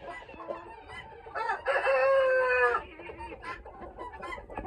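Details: Ayam Ketawa rooster, a long-crowing breed from Sidenreng Rappang in South Sulawesi, Indonesia, whose crow is likened to human laughter: a sustained, harmonic, fairly level crow of about one second, framed by shorter choppy clucking notes.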